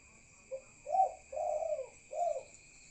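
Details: Night-time call of a spotted dove: a brief lead-in note, then three low, rounded coos, the middle one longest, over a continuous high-pitched hum.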